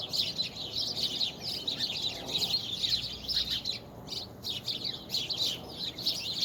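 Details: Birds singing, recorded February 24, 2020, a lively chorus of high, quick chirps and tweets, briefly thinning for a moment before picking up again.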